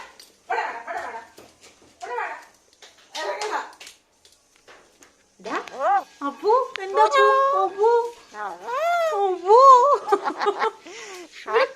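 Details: Caged pet parrot talking: a few soft muffled syllables early on, then a loud run of voice-like phrases with sweeping, bending pitch and fast syllables from the middle to the end.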